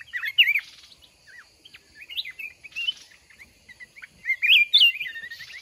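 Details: Mountain red-whiskered bulbul, a wild-caught bird kept caged for one month and taken out to trap by fighting, sings short warbled whistled phrases, bursts of quick rising and falling notes with brief pauses between them.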